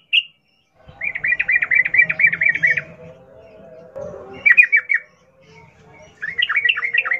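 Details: Fast rolling wild song of a sooty-headed bulbul, used to make captive birds sing; one single note, then a rapid string of bubbly notes, followed by two shorter chattering bursts after quiet gaps.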